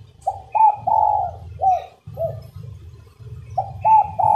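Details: Coos of a female spotted dove, played to urge males to sing. Phrases of short hooting notes, each with a longer drawn coo, repeat over a steady low rumbling hum.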